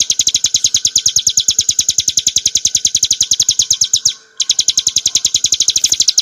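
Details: Hill prinia singing, meant as a training and baiting track for cage birds: rapid high chirps repeated in an even string, broken by a short pause after about four seconds before resuming.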